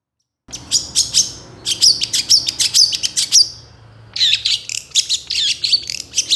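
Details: Long-tailed shrike song used as a master recording for training songbirds: bursts of sharp, high chattering notes in quick clusters, a short pause, then a denser rapid scratchy run.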